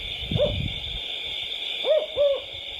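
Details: Unidentified bird giving three short, soft hooting notes, the last two close together, over a steady high-pitched hum.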